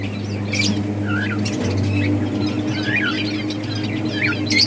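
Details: Playing budgies from a breeding colony chatter with short upswept and downslurred chirps, some twittering, scattered through a few seconds against a persistent low hum.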